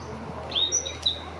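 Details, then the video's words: European robin of the Canary Islands form at Tafira, Gran Canaria, in August 2022, singing a few thin, high, sliding whistled notes in quick succession over a constant broadband background hiss and low hum. "Canto Petirrojo canario"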